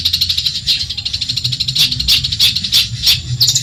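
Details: Long-tailed shrike from Madura, a training recording for other songbirds said to provoke rivals: fast, harsh, high chattering notes repeated about three times a second, with squeaky accents and no other clear sounds.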